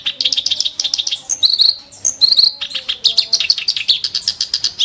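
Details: Clamorous reed warbler, known locally as kerak basi, with a sharp, harsh song. Fast, high chips come in rhythmic clusters, broken by slurred, buzzy whistled phrases, then more quick chattering notes.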